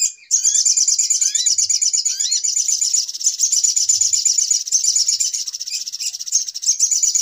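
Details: Bird-catching lure sound of little spiderhunter: steady, rapid high-pitched chatter throughout, with a few quick upslurred whistles in the first seconds.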